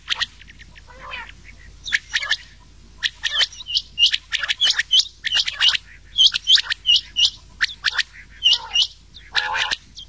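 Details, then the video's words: Rain quail giving sharp, high, metallic chirps in quick, uneven bursts of several notes a second, with a few softer, lower squawky notes between them. The recording mixes rain quail with old quail calls and is meant as a night-time lure for summer hunting. "Changah Ki Awaz / Rain Quail"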